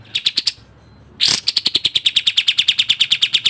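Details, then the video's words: Sooty-headed bulbul, recorded as masteran with tight 'speed rapat' variation song. A few quick chips, a short silence and a harsh, noisy rasp, then a steady run of high, clipped chirps about six per second. "Masteran Burung Kapas Tembak Speed rapat Suara Variasi"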